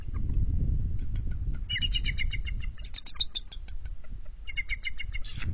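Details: Bald eagle pair at their nest during a shift change at 12:35 am on 21 February 2023: the incubating male is startled as the female lands, with both adults on high alert after intruder eagles. Three bursts of rapid, high chittering notes over low rumbling background noise.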